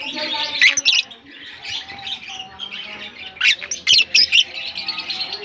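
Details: African lovebirds in a colony: rapid harsh squawks early on and again in a burst after 3.5 seconds, over nonstop high chirping.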